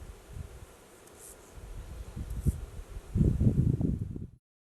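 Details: Greater roadrunner bill-snapping call, a contact call to locate each other and possible warning to intruders, in winter along the Rio Grande, southern New Mexico: low dry clatter of quick clicks building to a rapid burst, quiet outdoors.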